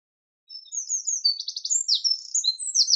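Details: Eurasian wren in full song, a bright, very high outpouring of whistled notes, a quick rattling trill and varied sharp phrases, with no other sounds.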